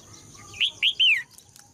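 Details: A female red-whiskered bulbul sings, a song said to provoke males to sing strongly: three quick, liquid whistled notes, the last longer and falling, over a faint steady background hum.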